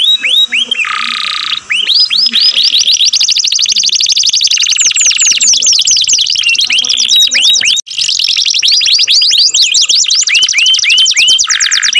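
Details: Melodious canary song running without pause: quick rolling trills of looping whistled notes alternate with dense buzzy rolls and lower rattling tours, with a brief gap near the middle.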